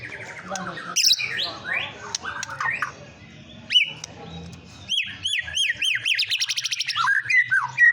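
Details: White-rumped shama singing as a lure to rile up other birds: varied rich whistles and slurred phrases, then a loud run of repeated swooping high notes that ends in sharp chirps.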